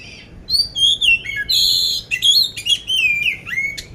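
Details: Oriental magpie-robin of the poci type, caged in Magelang, Central Java, competition-ready and singing coarse-fill song: strong bright whistles sliding up and down, interspersed with harsh buzzy blocks, delivered in quick succession.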